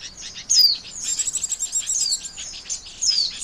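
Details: Oriental white-eye call played to lure birds into traps: sharp downslurred high whistles, three in quick succession, separated by buzzy rapid twitters.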